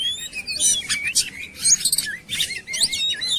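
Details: Oriental magpie-robin song used as a lure to make birds sing quickly. Bright, varied whistled phrases rise and fall, mixed with a few rapid chattering bursts and short pauses.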